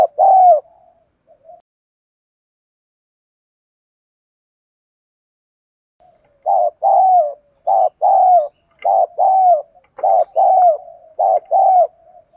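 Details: Decoy spotted dove cooing to stir up rival doves; one coo pair, a long pause, then rapid paired coos, a brief note and a drawn-out falling coo, repeated steadily over six seconds.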